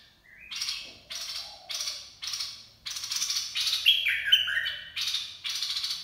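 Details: Dok Taeng style bulbul song for training young birds and luring: a run of harsh buzzy chattering bursts, roughly one every half second, then a brief fluty whistled phrase near the end.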